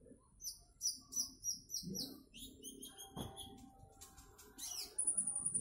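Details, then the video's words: Fast, high-pitched chirps and clipped whistles from a konin trotol bird, ending in a quick trill of repeated notes, with some low background rumble. "Burung konin trotol"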